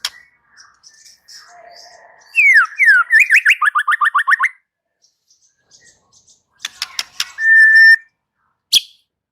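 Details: Song of a white-rumped shama: soft quiet notes build into a fast string of loud downward-swept whistles, then a gap, a rattle of sharp ticks, a steady held whistle and one final click.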